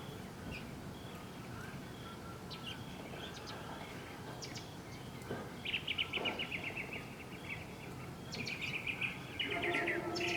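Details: Western scrub jay at a feeding tray in windy weather, with house finches returning to feed. Raspy, buzzy calls come in short bursts around the middle and end, over steady wind rumble and scattered thin chirps.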